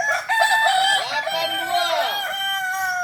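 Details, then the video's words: Kokok Balenggek rooster at a latberan practice meet in Kota Solok's Ampang Kualo: one sustained multi-note crow with a rising-and-falling series of arched syllables lasting about two seconds, then a held tone. "ayam kukuak balenggek"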